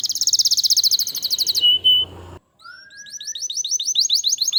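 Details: Canary in song, played to coax other canaries to sing: a fast high rattling trill ending in a short steady whistle, a brief pause, then a rising slurred note and a rapid repeated chirping phrase.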